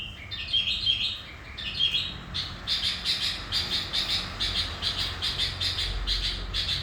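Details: Decoy sooty-headed bulbul singing in lively 'gacor' style to draw in wild bulbuls: two warbled whistled phrases open, then a rapid run of repeated sharp chattering notes, roughly evenly spaced, over low background rumble.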